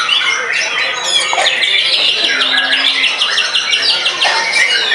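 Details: Post-molt white-rumped shama in a frenzied song bout, described as beating its rivals outright. A quick, even series of sharp repeated notes runs through the middle, set in a thick chorus of other singing birds.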